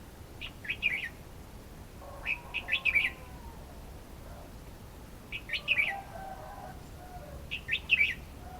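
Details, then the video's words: A Red-whiskered bulbul gives four bright, liquid bursts of quick chirpy notes, roughly every two to three seconds, with faint lower tones from another bird in between. "Red-whiskered bulbul sound"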